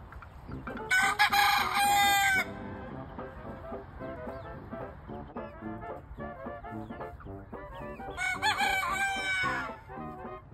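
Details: Two-month-old Leghorn cockerels crowing in the morning: two loud, harsh, strained crows, one early and one near the end, over steady clucking and chatter from other chickens.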